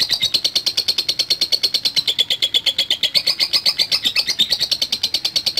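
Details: Long ngekek chatter from a lovebird, ngetik style: an unbroken, rapid, even run of piercing high notes, strongly pulsed and steady throughout.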